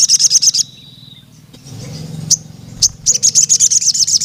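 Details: Crimson Sunbird calling a rival male: a brief burst of fast, shrill ticking notes, a quieter stretch with low rumbling and a couple of single chips, then a longer run of rapid high ticks.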